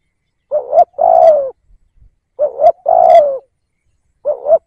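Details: Spotted dove used as a decoy bird to lure others, cooing in a repeated pattern: a short two-part note followed by a longer, fuller coo, the phrase heard twice before a third opening note.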